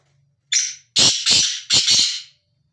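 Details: Male black francolin, free-roaming, calling: a short harsh note followed by three loud grating, buzzy squawks in quick succession, each dropping off gradually, with nothing else audible around them.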